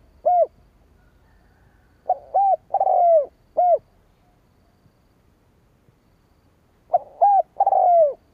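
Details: Spotted dove cooing to lure rival doves. The tail of one phrase opens the recording, a full four-note phrase follows, and after about three seconds of quiet another phrase starts. Each phrase builds to a long, falling, broken coo.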